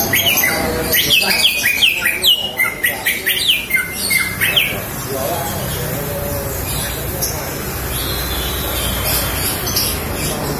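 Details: Female green leafbird calling to lure males: a busy run of sharp, slurred whistled notes, many falling or rising quickly, clustered in the first four seconds, then fading into steady background hiss with a few faint high chirps.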